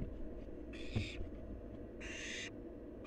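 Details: Nestling barn owl in a wild nest producing two hoarse hissing screeches about 1.3 seconds apart, with a brief knock between them and low rumbling background.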